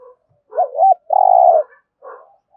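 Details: Thúc gù song of a spotted dove: a wavy double coo, then a long, level, throbbing coo, with a faint trailing note afterward.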